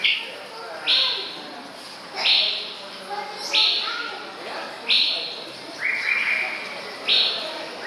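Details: A male White-rumped Shama, recorded 24 May 2014, repeats a bright, rising whistled note roughly every one to one and a half seconds, with a few softer lower notes between.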